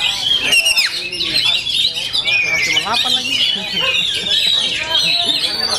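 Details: Kacer, the Oriental magpie-robin, singing at full power with full fills: rapid high whistles, quick downslurred notes and buzzy chatter packed tightly together, with low human talk in the background.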